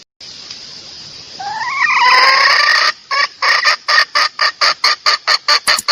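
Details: Red junglefowl hen giving a call that lures males: a hiss-backed rising, stretched note climbs and holds, then breaks into crisp repeated clucks at about two per second.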